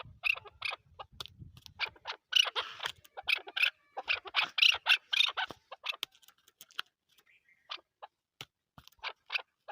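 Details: Chukar partridge, Pakistan's national bird, rattling out rapid harsh chucks that build to a loud burst, then trail off into scattered quieter notes with gaps.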